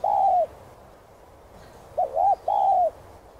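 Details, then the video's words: Spotted dove cooing in the hạp bổi voice style, a recording meant to spur caged doves to sing: a long slurred coo, a pause, then a quick double note followed by a drawn-out mellow coo. "Chim Cu Gáy Thúc, Gù 2 Kích Bổi Nhanh Nổi.Tiếng Cu Gáy Giọng Hạp BổI.Cu Đất Gáy, Cu cườm"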